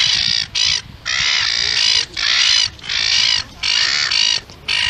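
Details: Gull giving a series of loud, rasping squawks, roughly one every second, each strained and sustained, with short quiet gaps between.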